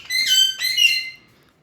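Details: Pet pair of Alexandrine parakeets indoors at night, around 1:30, hungry and calling after the light is switched on before being fed tomato; two loud, harsh, ringing squawks in quick succession, then quiet.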